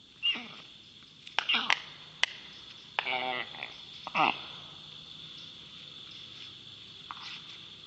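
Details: Young black storks defend themselves in their nest against a white-tailed eagle on 1 August 2021, giving a handful of harsh, rasping bursts, one longer and buzzy, spaced irregularly against a faint, steady hiss.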